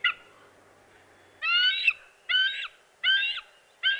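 Bald eagle giving four loud, high, slightly downslurred squealing notes, each under half a second, spaced about a second apart, after a faint opening note.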